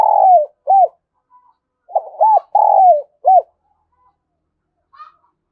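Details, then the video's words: Decoy spotted dove calling as a lure for wild doves: a long purring coo falling at the end, then short arched hoots, repeated in a second phrase, low-pitched and mellow, with silence between the notes. "Tiếng Chim Cu Gáy Kích Bổi Nhanh nổi Hiệu Quả"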